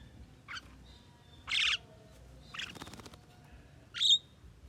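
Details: A talking Javan myna utters four short, rasping calls of varied loudness, the second and last strongest, with a brief clicking rattle between them.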